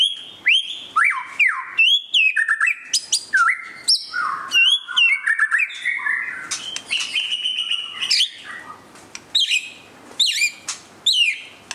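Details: White-rumped shama singing during display: a rich, varied stream of clear whistles, slurred rising and falling phrases and sharp high notes, delivered in quick bursts with short pauses.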